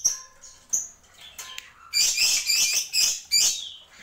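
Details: Black-winged myna in tembakan singing: a few soft whistles and chirps, then four loud, harsh, grating screeches in quick succession, each a rough high burst.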